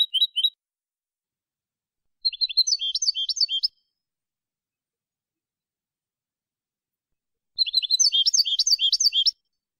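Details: European goldfinch song from a 2020 recording of clean goldfinch song: three bursts of rapid, tinkling, high twittering notes separated by a few seconds of silence, with no other sounds.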